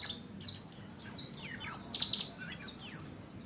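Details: Buxtoni mountain white-eye practising ngalas and ngerol singing as a lure for other white-eyes. Quick high twittering phrases build into bright, sliding whistled notes and buzzy chirps, delivered in short bursts with brief pauses.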